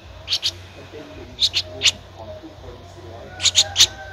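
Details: Thirteen-day-old Streak-eared Bulbul nestling, Ubon Ratchathani, Thailand, recorded on 15 April 2023, calling in short groups of two or three piercing chirps, with a faint thin tone and low hum behind.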